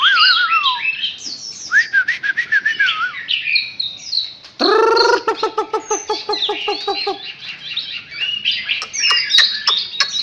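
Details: Chinese hwamei, a recently wild-caught bird filmed at close range, delivers a long varied song of wavering whistles and quick chattering phrases, a burst of harsh nasal repeated notes midway, then sharp ticking notes.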